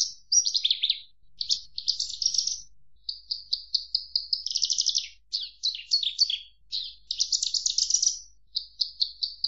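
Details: Javan bush lark pouring out a continuous, varied song: rapid trills, buzzy rattles and descending slurred phrases strung together with hardly a pause, over a quiet low hum.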